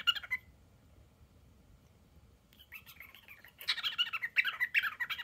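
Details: Male pet cockatiel mimicking a squeaky dog toy with squeaky chirps, then a rapid high-pitched 'brrrrrr' trill like a drill; owners don't know where he learned these sounds.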